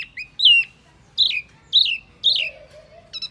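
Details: Lure call of the small Wambi bird: loud, wavering whistled notes with descending slurs in separate bursts, followed by a short buzzy trill at the end.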